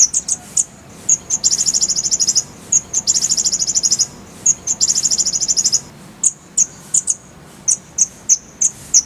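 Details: Konin, the Oriental white-eye, singing for a masteran training recording: rapid chattering bursts of very high chips alternate with spaced single notes, ending in a steady series of bright, high chirps.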